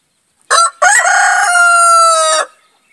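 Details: A Rhode Island Red rooster gives one loud crow: a short opening note, then a long, harsh, held cry that stays level before cutting off.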